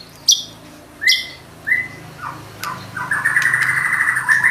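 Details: White-rumped shama singing, a gacor bird delivering its trained song fill: sharp high chips, then rising whistled slurs and a rapid buzzy trill toward the end, over a low hum.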